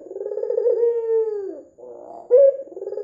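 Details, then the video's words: Red-eyed white dove giving a lure call to set other doves cooing. One long coo falling steadily in pitch, a short low muttering pause, then an abrupt loud higher note opening the next phrase. "PANCINGAN PUTER PUTIH MATA MERAH GACOR"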